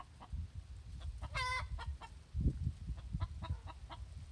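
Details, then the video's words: Hen's post-laying egg song: a few quick clucks around one loud, drawn-out squawk, with heavy low-pitched rumbling and thumping noise beneath. "Our hen's egg song"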